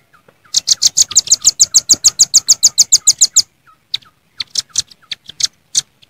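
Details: Wild velvet-fronted nuthatch calling rivals in the jontrot style: a fast run of about seventeen sharp, high chipping notes, roughly three and a half per second, then a few scattered, looser chips.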